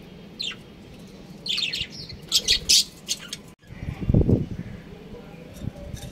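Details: Chirping from a breeding pair of budgerigars: bursts of short, high, scratchy chirps in the first half, then a louder, lower, rumbling noise near the end.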